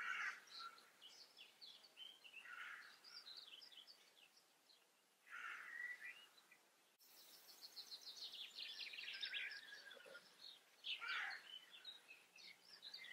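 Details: Common starling singing outdoors: a quiet, varied run of chirps, short whistles and buzzy notes, with one long falling whistled sweep near the middle and scattered high twitters throughout.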